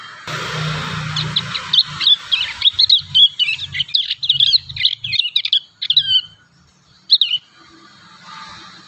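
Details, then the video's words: Young prinias rehearsing song naturally, a long run of rapid, high, slightly buzzy chirps about five seconds long, fading to silence with a final short burst of twitter. "MASTERAN PRENJAK PAUD ALAMI"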